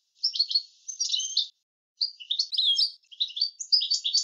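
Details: European goldfinch delivering a clean tutoring-style song: quick, high, tinkling phrases of jumbled chirps and trills in two bursts split by a short pause, with nothing else heard.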